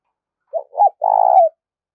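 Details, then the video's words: Spotted dove used as a decoy to attract wild doves: a short coo, a bending second coo, then a drawn-out steady coo tapering down at the end. "Chim cu gáy mồi kích bổi nhanh nổi chuẩn nhất 2021"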